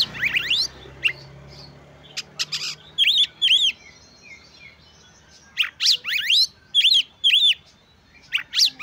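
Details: Oriental magpie-robin in full song meant to stir rivals and their breeding urge; bright arched whistles, rising sweeps and sharp chips in irregular bursts, with brief pauses between phrases.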